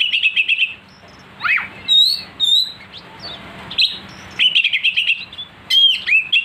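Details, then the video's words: Oriental magpie-robin singing a lure song meant to make rivals sing aggressively. It opens with a rapid scratchy trill, then clear high whistles, slurred downward notes and a fast chattering run near the end. "pancingan Kacer agar emosi"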